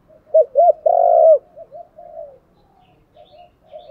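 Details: Decoy spotted dove calling to stimulate wild doves to answer: two short, hollow coos, then a long, loud, sustained coo, followed by several softer, low coos trailing off.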